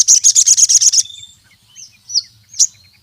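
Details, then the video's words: ['Crimson sunbird (sogon) in lively full song, used to challenge rivals and lure or tutor other sogon: a fast, even burst of high, buzzy trilled notes for one second, followed by a few thin, sharp chirps.'] "Sogon Gacor MEMANGGIL LAWAN, suara burung sogon untuk pancingan masteran sogon manapun jadi gacor"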